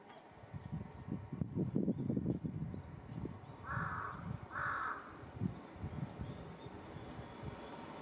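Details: Large-billed crow making a commotion on top of a utility pole in a residential area, recorded 1 July 2023; two harsh, hoarse caws sound close together mid-recording over a low rumbling background.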